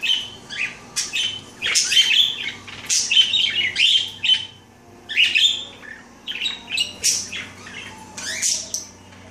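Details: A female parakeet bathing gives a busy run of high, scratchy chirps and squawks in quick, nearly continuous bursts while her whitish mate briefly tries the water; faint low room hum behind.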